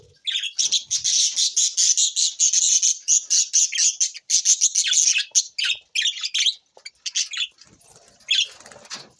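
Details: Budgies recorded June 20, 2024: a dense run of rapid, buzzy warbling chirps for about five seconds, then scattered scratchy squawks tapering off toward the end.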